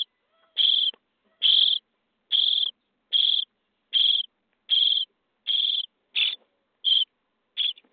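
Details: Day-23 starling nestlings in a nest box beg at feeding with a regular series of ten gravelly, hissing bursts, each about a third of a second long, spaced evenly, in an otherwise quiet box.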